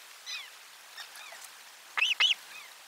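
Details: Osprey at its nest on 12 July 2022 around a lunchtime fish delivery: a few faint, thin whistles followed by two loud, clipped, down-curving chirps near the end.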